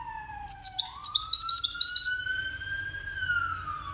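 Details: European goldfinch, wild bird entered in a five-bird song contest, gives a quick run of bright chirping notes lasting under two seconds. A loud siren-like tone rises and falls throughout.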